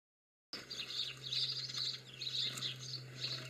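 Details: European greenfinch twittering in a rapid run of bright chirps and short trills, clustered high and continuing for about three seconds after a sudden start, over a steady low electrical hum.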